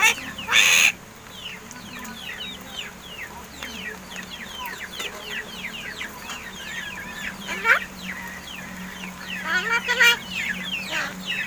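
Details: A 7-month-old hand-raised pet crested myna that is learning to talk gives a steady run of quick, high, down-slurred chips and squeaks, with a loud harsh burst at the start and a few sharp clicks.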